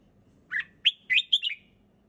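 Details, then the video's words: A single song phrase from a red-whiskered bulbul, sung in a relaxed, clear voice: five quick liquid notes, bouncing up and down before a final slurred note trails off, over a soft low hum. "เสียงนกกรงหัวจุก ร้องสบายๆ เสียงชัด!!"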